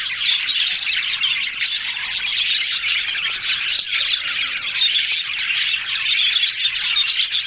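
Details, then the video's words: Happy yellow budgerigars talking together: steady, busy warbling of many overlapping chirps and scratchy squawks, with sharp ticking clicks and a few louder bursts of chatter. "Yellow Budgies Talking Sounds Happy"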